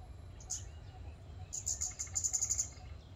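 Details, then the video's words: Scarlet-backed flowerpecker calling in a public park: one isolated high, thin tick, then a rapid run of about ten sharp, piercing notes that grow louder toward the end, with low background hum. "เสียงนกชมภูสวน(กาฝาก) Scarlet-backed Flowerpecker"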